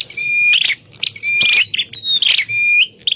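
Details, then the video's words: Lure call of a grey prinia (prenjak klawu), used for trapping: sustained flat high whistles alternate with dense buzzy chatters, roughly three cycles with brief pauses between. "Suwara Burung Prenjak_klawu Buwat_Mikat"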